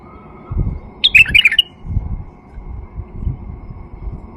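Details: Male white-eared bulbul, song played to get silent bulbuls singing and to attract birds: one quick warbled phrase of bright, jumbled notes lasting about half a second, over low rumbling background noise.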